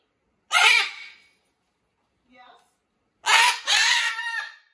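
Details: Captive Jubilee hybrid macaw, growing more vocal as it settles into a new home, lets out two loud, harsh, raspy screeches separated by a short quiet gap and a faint mutter.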